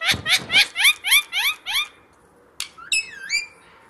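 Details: A parrot held behind glass gives seven quick rising chirps about a quarter second apart, then a sharp click and two looping, wavering whistles.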